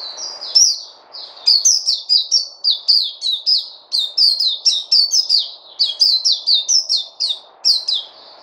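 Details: Captive songbird pouring out a long run of rapid, high, sliding whistled notes, closely repeated with a faint low hum beneath.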